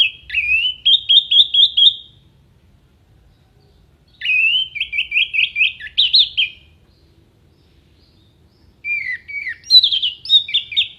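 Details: Orange-headed thrush in vigorous song packed with contest-bird fill-in phrases and sharp 'shot' notes. Three bursts of rapid, trilled, whistled notes, each about two seconds long, separated by short silences, with a faint low hum underneath.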